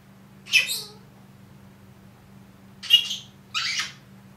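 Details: Pet Senegal parrot, one year old, mimicking human words such as good morning: three separate raspy, speech-like syllables, the last one buzzy, over a steady low electrical hum indoors.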